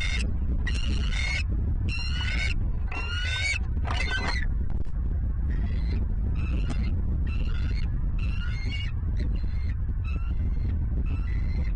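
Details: Wild bald eagles at a nest in Southwest Florida, filmed by a nest camera in late November: a run of high, squeaky, chattering call bursts, several notes each, repeated over the first seconds and then softer, over steady low wind rumble.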